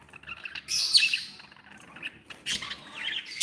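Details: Happy pet budgerigars indoors giving loud high warbling chatter, sharp chirps and squeaky trills in two main bursts, with little background noise.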